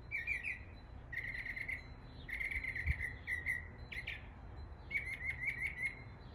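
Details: Northern mockingbird in an East Tennessee neighborhood imitating the sounds of local birds: bright chirped phrases, each burst repeated several times in quick runs, separated by short pauses, over a low steady background hum.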